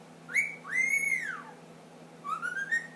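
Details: Pet ring-necked parakeet, ten months old, whistling the Addams Family tune: a short whistle, a long arched note, then a softer rising whistled phrase, in a quiet room.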